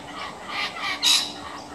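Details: An adult kookaburra feeding one of its young: four harsh, raspy squawks, each a short burst, the loudest near the end, over a faint background hiss.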